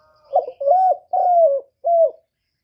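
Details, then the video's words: Spotted dove giving one full phrase in the 'hạp bổi' voice style, used to rouse decoy doves during trapping: a stuttered opening, two long level-then-falling coos and a shorter closing coo, mellow and mid-pitched, with no background noise. "Cu đất giọng hạp Bổi, Cu Gáy gây ức chế, tiếng cu dùng mở khi đi bẩy, cu gáy giọng chuẩn, cu đất gáy"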